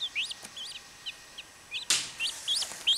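Chachalaca chicks give thin, high peeping notes, a dozen or so in three seconds, some rising and some falling. A single sharp knock breaks in midway.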